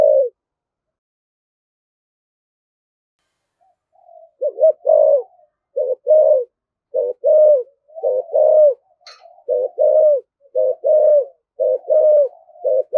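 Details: Vigorous 'thổ thúc gù' cooing of a spotted dove: a rapid run of low, rounded coo notes in quick succession after a quiet pause, with a brief faint click in the middle.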